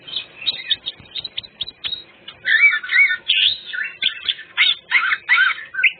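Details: Greater green leafbird singing a full-repertoire lure song: soft scattered ticks, then loud warbling and wavering whistled phrases in a fast, varied stream.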